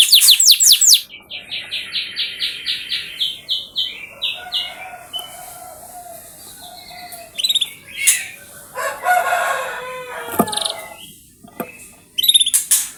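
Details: Canary singing as a lure to encourage canaries to sing: high sharp notes, a run of evenly spaced chirps, then scattered chips and bursts of twittering with pauses between.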